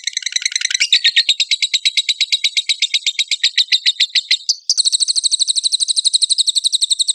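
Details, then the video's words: Champion lovebird in full song, from a compilation of rough 'tembakan kasar' bursts used to provoke other lovebirds into singing; a shrill, very high, rapid chattering trill, about four notes a second, breaking abruptly into a harsher, even faster run. "PANCINGAN AMPUH LOVEBIRD GACOR FULL ISIAN MASTERAN KOMPILASI MATERI TEMBAKAN KASAR"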